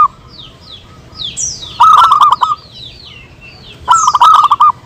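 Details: Two short bursts of fast, clipped cooing from local zebra doves answering each other in a lure recording, between which several other birds give descending whistled chirps.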